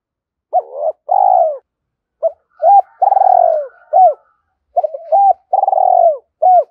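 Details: Spotted dove in the thổ pha thúc calling style, used as a lure to provoke wild doves: two clear, deep coo phrases. Each phrase is a few short hooked notes and a long rolling burr that falls in pitch, with quiet gaps between.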